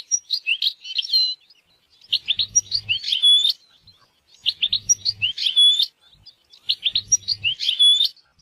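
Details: European goldfinch singing outdoors in nature: short tinkling phrases of mixed chirps, slurs and a clear whistled note, repeated roughly every two and a half seconds in four similar bursts.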